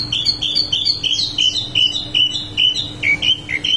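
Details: Wambi mini singing nonstop: a fast string of high, bright whistled notes, each slurring down, repeated a little over twice per second, over a faint constant hum.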